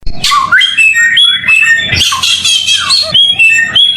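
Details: Samyong bird singing for a clear masteran tutor recording: a rapid, varied stream of sharp whistled notes and chattering trills, high-pitched throughout, with brief harsh bursts near the start and after two seconds and a faint low hum beneath.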